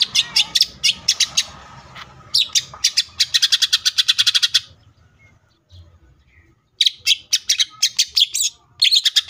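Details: Cucak ijo (greater green leafbird) singing tembakan bursts: repeated rapid volleys of sharp high chips broken by short pauses and a near-silent gap, with a final quick flurry.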